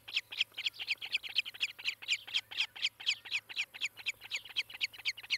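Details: Nesting osprey filmed by a nest cam in Charlo, Montana, 18 July 2018, late morning; piercing high chirps come in quick, slightly uneven pairs and runs, about two a second, over a faint low electrical hum.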